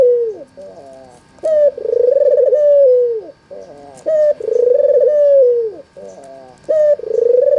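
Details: Albino white Barbary dove with red eyes calling as a lure for doves that will not coo. Three repeated phrases, each a crisp short note followed by a long warbling coo that droops at the end, with gentle low coos in between.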